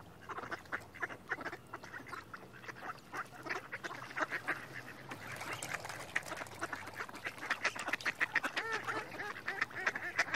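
Mallards keep up a busy, overlapping chatter of short nasal quacks and rasping calls, several birds at once, with no pause through the whole stretch.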